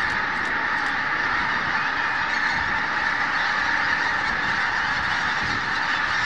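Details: Geese massed at Snettisham in the early hours. Countless honking voices merge into one continuous, even wall of sound.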